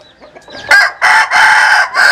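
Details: Rooster crow, loud and close: a rough, harmonic cock-a-doodle in four bursts separated by short breaks.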